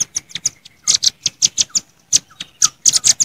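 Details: Velvet-fronted nuthatch 'jontrot' calls aimed at rivals, several wild birds noisy together: loud, very high, dry ticking chips fired in uneven clusters, with a few faint downslurred notes in gaps.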